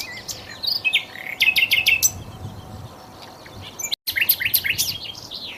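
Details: Flycatcher known locally as sikatan londo, sung as training material for magpie-robins: bursts of sharp, rapid high chips and short trills, a brief dropout, then varied rising and falling thin whistled phrases.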